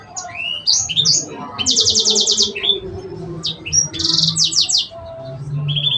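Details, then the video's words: Cengkok phrasing from a Sanger bird, mixing short high whistles and slurred chirps with two dense buzzy trills of rapidly repeated high strokes, ending in a thin fast trill; faint low rumble underneath. "Cenkoknya Burung Sanger"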